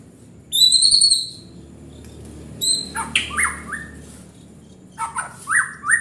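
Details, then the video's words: White-rumped shama: a ringing high trill, then a few sharp notes and sliding whistled phrases repeated in short bursts with pauses between. "Murai batu gacor bikin panas"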